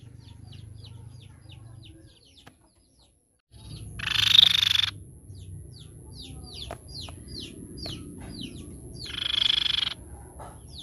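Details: Crescent-chested babbler (Cyanoderma melanothorax), song.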